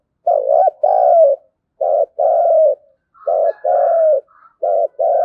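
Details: Spotted dove giving thúc gù coos in the thổ đồng (field) voice, played as a lure to make wild doves call back; low, mellow rolling coo notes in short groups separated by brief pauses, clean with no other sounds.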